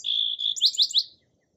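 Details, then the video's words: Song sparrow song fragment: a sustained high thin whistled note, then three quick buzzy rising notes in rapid succession, ending abruptly in silence. "Song Sparrow Calls and Songs"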